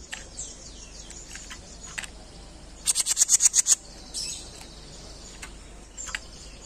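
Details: Jenggot on a masteran training recording: a rapid string of about nine piercing high pulses around mid-clip. Faint scratchy high twitters come before and after.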